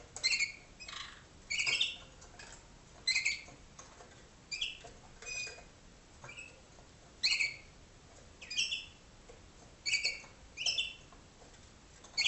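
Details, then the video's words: Malinois canary tutor singing to 2011-hatched young in training cages, North Canton, Ohio: bursts of clustered watery chirps repeated irregularly over twelve seconds, each brief and bright, with quiet gaps between. "waterslager canary"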